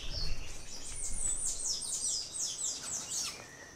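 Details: Velvet-purple coronet filmed at Refugio Paz de las Aves and San Tadeo near Mindo, Ecuador; a rapid run of very high, thin, slurred notes lasting about three seconds, with a faint lower whistle from another bird.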